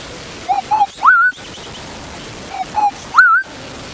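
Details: Southern boubou calling from a drainage line by a termite mound on a morning safari drive at Djuma Game Reserve, 2 January 2016, with many birds around: two short mellow whistles then a longer rising liquid whistle, repeated about two seconds later, over steady hiss.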